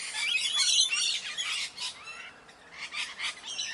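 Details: Raspy, high squawks from Indian parrots, strongest in the first half, then fading to softer, scattered screeches.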